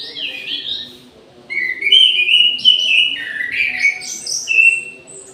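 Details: Midday song of an aviary orange-headed thrush: a brief whistled opening, a pause, then a long run of rich, slurred whistles leaping up and down in pitch, loud and continuous for about four seconds.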